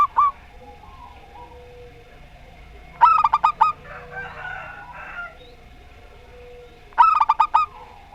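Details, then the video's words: Two crisp phrases of quick staccato coos from zebra doves, a local Rondo Semoyo singer and a strange-voiced rival, plus the tail of another phrase at the start and soft murmurs between. "Perkutut Lokal Rondo Semoyo VS Perkutut Suara Aneh"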